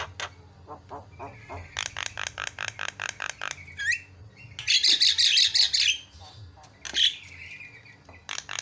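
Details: Javan myna singing loudly in a tutor recording called senior champion song. Rapid ticking clicks quicken into a steady chack series, then a long trilled rattle, a rising whistle and more harsh clicks.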